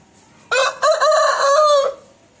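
An Aseel rooster crows once, a harsh broken opening followed by a long, strained, slightly falling drawn-out note lasting about a second and a half.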